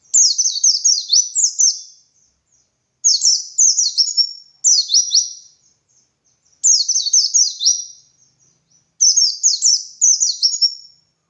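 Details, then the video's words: Dakun white-eye song used to train other white-eyes: five loud bursts of fast, high, descending chirped notes, each phrase about a second and a half long, spaced by short pauses. "Masteran Suara Burung Pleci Gacor Ngalas Nembak Buka Paruh"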